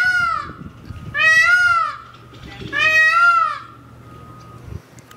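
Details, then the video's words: Male Indian peafowl at Tule Springs calling up close in the morning during mating season: three loud, drawn-out, wailing nasal cries, rising then falling, each about a second long, with a faint low hum underneath. "Peacock mating calls up close this morning."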